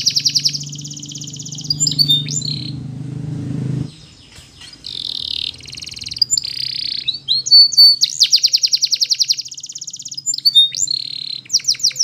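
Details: Canary training song, Spanish Timbrado style: bright high trills and rapid repeated notes in bursts, metallic rolling phrases, with a low steady hum during the first four seconds.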